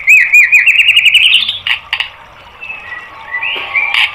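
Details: Rapid, rising rattle of ringing notes from a white-rumped shama used to train caged birds, breaking off into a few sharp clicks, soft thin whistles and a closing upslurred note.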